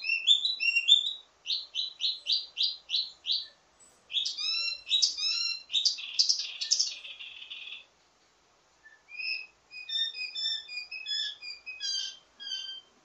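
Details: Full-voiced wambi mini performing a ledekan (teasing) song with many variations, suitable as a tutor for its kind: rapid chirp series, dense buzzy warbling, a brief gap, then soft scattered high notes.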